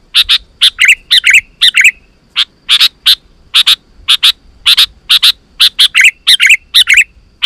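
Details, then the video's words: Sooty-headed bulbul calling, used to lure wild bulbuls into answering: rapid runs of short, bright chirping notes, some doubled or tripled, with a few slurred downward trills, repeated busily throughout. "Suara Burung KUTILANG GACOR 100% Ampuh Untuk Suara Panggilan Kutilang Lain auto Emosi dan Gacor"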